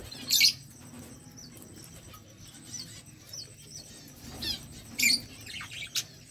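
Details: Budgies talking to each other: quiet high twittering warbles broken by a few loud sharp chirp bursts, over low background hum.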